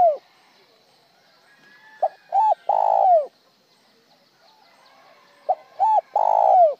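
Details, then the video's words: Spotted dove calling in phrases sung with a broken single tail note, with a tail, or plain without one. Two phrases: a clipped note, a doubled hoot, then a drawn-out hollow coo that drops away. Soft background chirps. "Tiếng chim cu gáy gọi một hậu lỡ , lúc một hậu lúc trơn"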